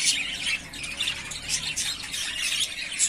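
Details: Yellowface spangle budgerigars, three breeding pairs ready to breed, in a short stretch of raspy squawks and chirps that rise and fall in loudness.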